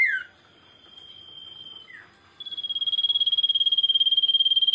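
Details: Common iora lure song for other birds: a falling slurred note, a soft level whistle with another slur, then a loud, strongly pulsed trilling whistle held to the end.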